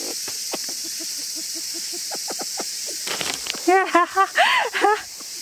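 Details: A copper pheasant at Awajigatoge, Matsuyama, on a cloudy 31 July 2018 gives soft rapid ticking notes, then a burst of five or six loud, squealing, arched calls over a faint background hiss.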